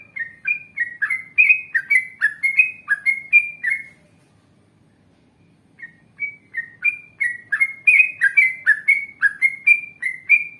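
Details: Yellow-vented bulbul giving long ngalas and ropel phrases, sung to lure others of its kind into responding. Two bursts of rapid, bubbly whistled notes are split by about two seconds of silence.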